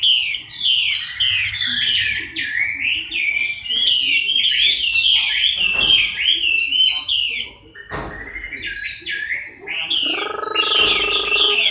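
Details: Chinese hwamei during its moult, October 2015: a long, bright, continuous stream of rising and falling whistled notes with brief pauses. A droning, humming tone enters near the end.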